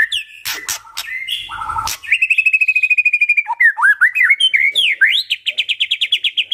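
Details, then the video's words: Song of a white-rumped shama meant to prompt other shamas into singing: mixed whistles and harsh notes, then a rapid steady trill for over a second, then rising slurs and a quick run of repeated notes. "murai batu gacor sangat cocok buat pancingan murai batu agar bunyi ikut NYAUT"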